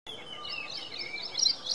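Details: Ashy prinia song recorded April 3, 2022 on a Panasonic FZ-70: a faint, rapid run of high thin warbling notes that grows louder and ends in brighter, stronger chirps, over steady low background noise.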